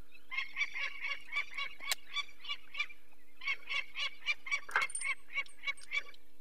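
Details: Peregrine falcon female alarm-calling near her nest in the Barycz Valley, Poland, 2 May 2023, while people take a chick with eye problems: harsh, grating kek notes repeated steadily, over a faint constant hum.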